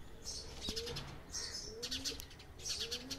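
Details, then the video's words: House sparrow chirping in short, bright, buzzy bursts about once every second, each burst a quick cluster of sharp notes, with faint low gliding tones and a soft background hum underneath. "Conversation!!! House of commons 😂😂😂 House Sparrow!!!"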